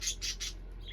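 Parakeets give three quick, harsh chattering bursts about a fifth of a second apart, then a softer, lower chirp, over a faint low hum.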